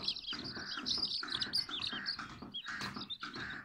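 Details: Chorus of Silkie and Golden Sebright chicks, loud shrill peeps tumbling over one another in quick overlapping bursts, bright arching notes with brief dips between clusters and a soft low hum underneath.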